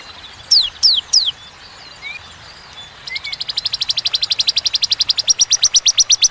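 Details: Bar-winged prinia in "tembakan" style: three separate high downslurred notes, a pause with faint chirps, then an accelerating rapid trill of thin, high notes running to the end.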